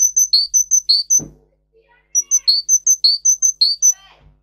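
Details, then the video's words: Song of a Russian singer canary, a breed raised for singing, used to teach canaries: a fast sequence of bright, high, clipped chirps alternating with lower slurred notes, a short pause, then the same phrase again. "For training Canary singing (Russian singer canary singing) Original Song. Для обучения канареек"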